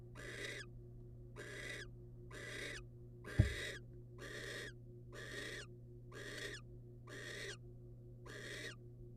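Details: As the male delivers a rodent to the female, a wild barn owl gives nine rasping, hissing bursts at an even pace of about one per second, with a single sharp knock partway through and a constant low hum beneath.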